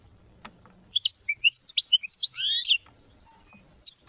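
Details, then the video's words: Goldfinch song for teaching and motivating hunting and mating: scattered, separate high chirps and short whistles, then a brief harsh buzzy phrase, with quiet gaps around them. "Goldfinch songs to teach and motivate hunting and mating"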